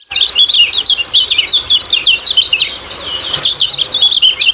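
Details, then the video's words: Kecial kuning ciak-ciak song, a lure recording meant to get pet birds singing: an unbroken, lively chatter of sharp, high chirps and quick up-and-down slurs. "Master Kecial Kuning Ciak Ciak Gacor Banget"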